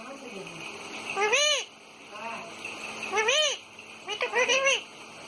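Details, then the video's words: Pet parrot that talks, recorded on an iPhone. It gives arched, nasal, voice-like syllables: one strong note, a softer one, another strong note, then a rapid stuttering burst of several short syllables at the end. "बोलने वाला तोता मिठू मिठू"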